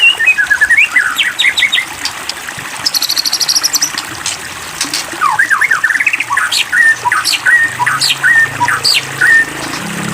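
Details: White-rumped shama singing, provoked to sing: varied whistled phrases and rapid trills, some buzzy high bursts, ending in a run of repeated clear whistles over a steady rushing water-like background.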